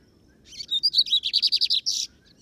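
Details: A keeper's Lined Seedeater, or bigodinho, sings during a field outing (campiada). Varied chirps lead into a rapid run of about a dozen clipped high notes, and the phrase ends on a longer buzzy note against a quiet background.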